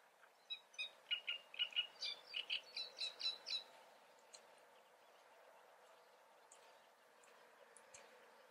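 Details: Great reed warbler singing in the Eifel, Germany: a burst of about eleven harsh, grating, repeated notes over three seconds, followed by quiet with a few faint distant ticks.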